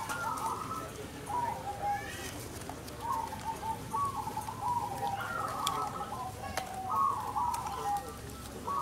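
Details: At a perkutut singing competition, local crossbred zebra doves deliver repeated trilled coo phrases about a second long, several birds overlapping, with brief pauses between bursts and faint clicks.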